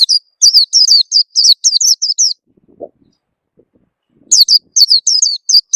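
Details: Oriental white-eye lure call, used to prompt birds to sing: quick runs of high, thin, downslurred chirps in rapid bursts, a short pause with a faint low sound, then the chirping resumes.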